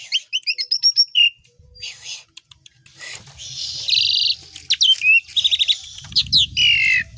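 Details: Song of an Asian pied starling stuffed with imitations of other songbirds: a quick run of repeated paired whistles opens, followed by harsh buzzy chatter, rattles and clear rising whistles, with low rumbling noise late on.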